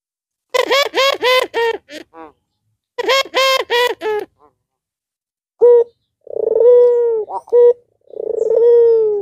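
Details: Albino Barbary dove calling to stir other doves that are slow to call or still learning. Two quick bursts of rapid, harsh, stacked notes open, then long, steady, humming coos with short clipped notes between them.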